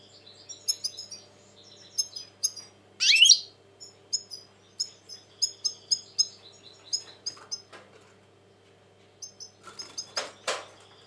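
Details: European goldfinch, described as very agitated lately, 2020: scattered short high tinkling notes and brief twitters with pauses between, one louder rasping burst near three seconds, a faint steady low hum behind.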